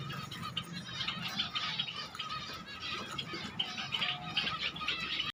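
Zebra finches give short, nasal, toy-trumpet calls in quick, busy bursts.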